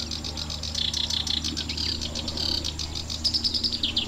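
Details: Male black-browed reed warbler singing in a vast reedbed at Watarase retention basin in June, probably breeding there: a fast, scratchy, run-on chatter of varied high notes with a few clear whistled phrases, over a faint low rumble.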